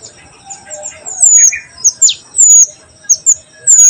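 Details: Oriental magpie-robin with a sharp voice, giving short, piercing, very high whistled notes in irregular bursts, some slurred downward, over a steady high-pitched background hum.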